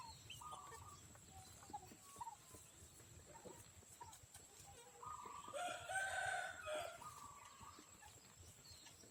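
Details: Free-range backyard chicken flock, fed in the morning, with bursts of harmonic clucks and drawn-out calls, building to a loud, strained call near the end, then softer clucking. A steady high hiss runs underneath.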